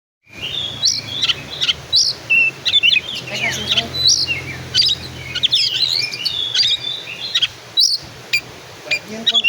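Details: Oriental magpie-robin of the black-and-white form, singing a rapid, varied run of sharp whistled notes, trills and chattering phrases, with short bursts and brief pauses, over a faint low hum.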